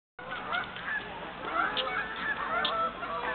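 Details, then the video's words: Geese on Lago du Crane in August, giving a steady run of short nasal honks, overlapping and irregular, several birds calling together. "Geese on Lago du Crane"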